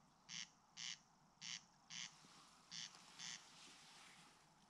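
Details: A corncrake (Crex crex) in Ridala, West Estonia, summer 2019, gives its dry, rasping crex-crex, three pairs in under four seconds, with a Common Grasshopper warbler reeling faintly behind.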